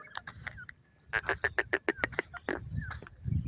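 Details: Francolin hen teaching her chicks to call: a quick run of sharp, evenly pulsed notes, roughly three a second, followed by softer chirps and a low rustle at the end.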